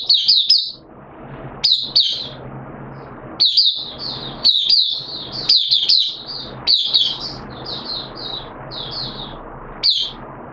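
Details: Mata Puteh, a caged oriental white-eye, in 'buka sing' song on 13 September 2022, second day of monthly deworming: short explosive bursts of high twitters separated by pauses, building to a longer run of quick chirps.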